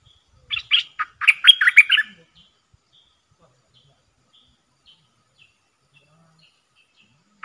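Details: A Dok taeng bird used as a decoy calls to draw in wild birds. It gives a quick run of about eight clipped, chirpy notes, then falls nearly silent apart from a few faint ticks.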